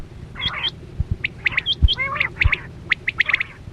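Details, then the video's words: Quail call used to draw birds during a net hunt, a busy mix of rough buzzy chatters and sharp whistled notes, with several dull thumps underneath. "Sound Of Chora Quail Batera"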